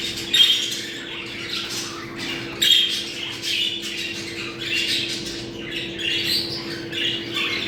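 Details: Mating calls of budgerigars played to bring birds into condition: harsh squawks and busy warbling in irregular bursts, occasional sharp whistles, steady low hum throughout.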